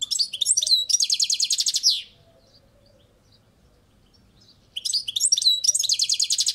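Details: European goldfinch kept on a balcony repeating its song twice: jangling twitters and hooked whistles running into a long rapid buzzy trill, separated by nearly three seconds of quiet.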